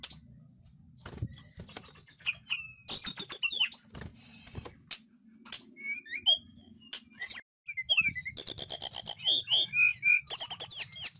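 Sunda blue robin giving a lively run of high, sharp whistles and trilled notes, some rising and falling, with brief pauses between bursts.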